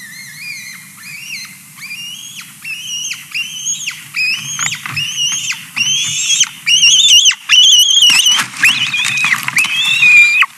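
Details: White-tailed eagle chick in Latvia, July 2020, as its mother finishes eating a fish, gives thin, high whistled piping notes, about three a second, growing louder and more insistent, over a faint low hum.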